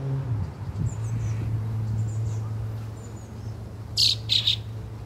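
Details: Fieldfare chick, with its family nearby, on June 2nd, gives two harsh, scratchy bursts near the end after faint thin squeaks, over a steady low hum; identification as a chick is tentative.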